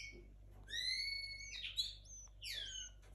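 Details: Young caged linnet hybrid in 2022, at the start of its singing: clear whistled notes, some long and level, others sliding down, in short phrases, with a brief rough burst in the middle.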